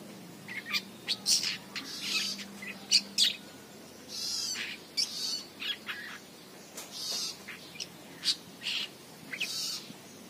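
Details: Chick long-tailed shrike calling eagerly outside the cage: a long series of short scratchy, buzzing bursts and sharp clicks, irregularly spaced, some in quick pairs, with a brief low hum early on.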